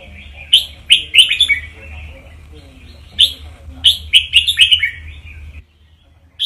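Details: Red-whiskered bulbul singing as a teacher bird to stir up listening birds: lively phrases of four to five sharp, bubbling whistles, two main phrases about three seconds apart, over a low background hum.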